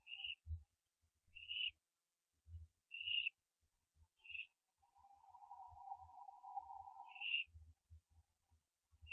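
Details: Barn owl owlets branching at the nest, 4:07 AM on 15 September 2011; brief high tonal chirps repeat irregularly about every one to one and a half seconds, with a low murmuring hum midway and faint thumps.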